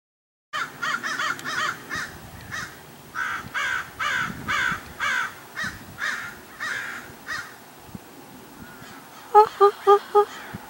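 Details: Common Raven at Paramount Ranch in the Santa Monica Mountains, California, filmed 28 January 2021: a long run of harsh, hoarse caws repeated about every half second, ending with a few sharper, clearer notes.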